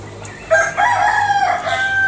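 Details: A green junglefowl from Bali gives a single strong, raspy crow. It starts with a sharp attack and runs on as a sustained, buzzy, harmonic note for over a second against a low steady hum.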